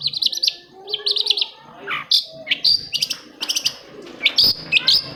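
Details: Long-tailed shrike song used as a prompt for reluctant shrikes: rapid chattering bursts of high notes mixed with sliding whistles, almost continuous, and a dip to lower tones partway through.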